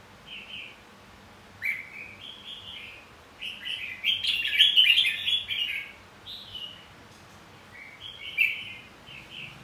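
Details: Red-whiskered bulbul fighting song for rousing birds to sing in contest: a long, dense run of chattering warbled notes swelling in the middle, framed by shorter bright chirped phrases.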